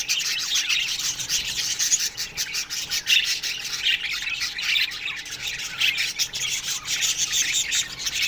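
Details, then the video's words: Many budgerigars in an aviary chirping in the morning, a constant buzzy, grating warble of squawks and chatter that never pauses. "Budgies Morning Chirping Sounds"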